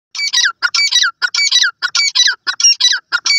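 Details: An Iranian partridge (teetar) gives harsh, scratchy, high notes in quick clipped bursts, several each second, with short gaps between phrases. Nothing else is heard.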